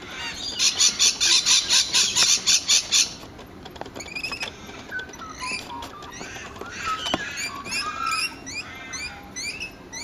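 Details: Rainbow lorikeet: a rapid run of harsh, buzzy screeches repeated about twice a second for three seconds, followed by quieter high chattering and scratchy twittering notes with sharp clicks in the background.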